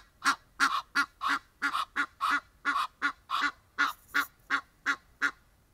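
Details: Egyptian geese in a natural setting: roughly fifteen coarse, braying honks in quick succession, slightly uneven in spacing and loudness.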